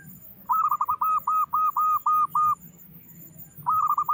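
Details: A local zebra dove with a big voice sings to get other doves calling: a steady string of about nine short, evenly spaced cooing notes, a pause, then another quick run beginning, with a faint low hum beneath.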